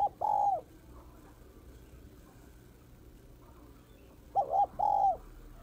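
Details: Female spotted dove calling to excite males: one mellow coo at the start, then after a long pause a quick doubled note and a longer hoot tapering downward.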